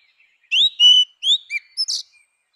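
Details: Grey-winged blackbird song from natural habitat: a series of short fluted whistles, some rising and some falling, closing with a harsher buzzy note, over a clean quiet background.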